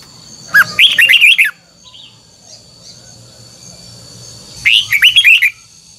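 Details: Red-whiskered bulbul song in the 'double twisted' style used for voice training: two rich, warbling phrases of quick slurred whistles about three and a half seconds apart, with a soft chirp between and low hum underneath.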